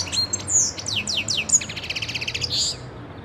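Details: A European goldfinch, recorded in 2011, sings a quick, high, tinkling twitter: a few sweet downslurred notes, then a rapid liquid trill ending in a buzzy flourish.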